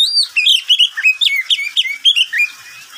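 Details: Oriental magpie-robin, a household pet, singing in the middle of the day: a continuous run of bright whistled and downslurred notes delivered quickly and evenly, fading at the end.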